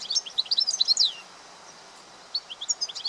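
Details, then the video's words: European goldfinch in the wild delivering a rapid, liquid twittering phrase of bright high chirps ending in a downslurred note, then after a pause a second, sparser run of tinkling notes, with soft ambient hiss. "طائر الحسون في الطبيعة"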